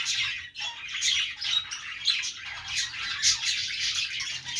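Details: Budgies chatter with quick high chirps, a few clear whistled notes and grating squawks, densely overlapping, with a short lull early on.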